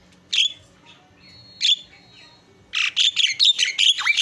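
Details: Javan myna song: two separate loud, harsh whistled notes with a thin held tone between them, then a dense burst of rapid, squawky, chattering phrases in the last second and a half.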